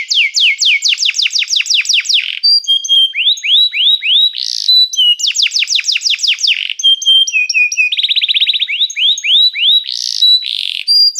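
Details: Canary song meant to teach canaries and invite others to sing: repeated rolls of rapid descending sweeps, alternating with pure whistles, rising slurs and short buzzy bursts, a varied phrase sequence that recurs twice.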